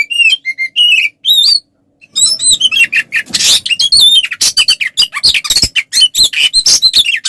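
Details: Fighting song of an oriental magpie-robin, used to provoke other males: whistled rising slurs and chips, a brief silent gap, then a harsh noisy burst followed by fast twittering with high wavering whistles.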